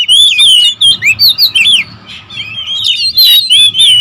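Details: Oriental magpie-robins (kacer), territorial birds, calling noisily: a string of pulsing, looping whistled notes roughly every quarter second, a brief softer stretch, then bright sustained whistles and harsh accents.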